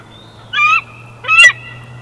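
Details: Wild female bald eagle at a nest camera in Big Bear Valley, 12 June 2021, giving two loud, harsh, harmonic squealing notes about half a second apart over a steady low hum.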